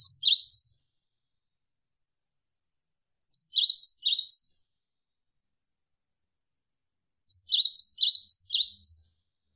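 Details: Three clusters of crisp, high chirps from a Javan sparrow, each cluster of two to five quick descending notes, with roughly three seconds of silence between them; a tutor recording for training birds.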